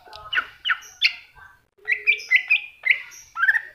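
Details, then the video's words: Greater green leafbird masteran song, cucak hijau: dense, harsh-edged chirps and slurred whistles in fast succession over a faint low rumble. "Cucak Hijau Masteran"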